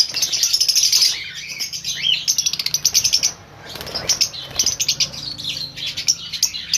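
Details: Lovebirds in a breeding colony on a pair-breeding farm, many birds calling at once: dense shrill chirps and sharp squeaks overlapping in bursts, with a brief lull near the middle before the chattering rises again.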